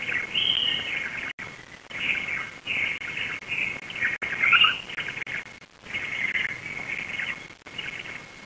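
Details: Black stork at a livestreamed nest near Lodz, Poland, evening of 16 June 2021, as the adult female returns, feeds the chicks, looks around and flies off; high, wavering squeaky calls come in short bursts over a steady thin electronic whine.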